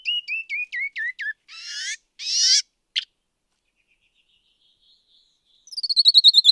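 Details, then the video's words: Canyon wren sings seven clear, down-slurred whistles stepping lower, the descending song of males, then harsh buzzy notes like the female's buzzy song, and later a fast run of high, ringing notes. "Canyon Wren Song and Call"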